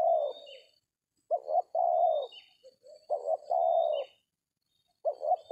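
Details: Cooing tekukur (spotted dove) lured by a decoy in an oil palm plantation; three phrases, each two brief notes followed by a drawn-out coo, spaced roughly every two seconds, with faint high-pitched whistles between them.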